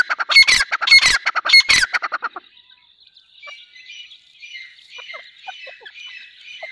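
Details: Grey francolin, called Dakhni teetar locally: about two seconds of loud grating repeated notes, then faint scattered chirps and a thin background hiss.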